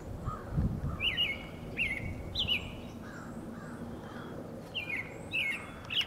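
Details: An American robin vocalizing near another robin, body language possibly flirtatious or cautious; repeated brief whistled notes with sharp inflections, some softer lower notes between them, and a low rumbling thump early on.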